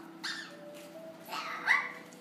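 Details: Pet Amazon parrot vocalizing indoors in the morning, giving a short nasal note and then a longer rising, squealing call with a bright peak near its end, beside a woman's cooing voice.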